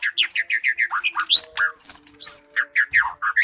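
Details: Energetic 'gacor' singing of a white-rumped shama: quick repeated downslurred whistles about five per second, then high piercing squeaky notes and more slurred whistles over a faint low hum.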